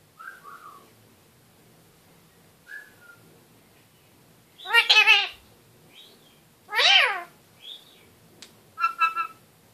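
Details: A male pet kakariki in its cage "talking" before a bath gives soft, short whistles, then two loud, harsh, wavering calls a couple of seconds apart, ending in a quick chattering burst.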